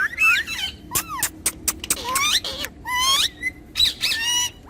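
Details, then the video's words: A pet talking parrot pair makes swooping whistles, raspy squawks and crisp clicks, the phrases rising and falling in quick succession. "Best Jodi Of Talking Parrot"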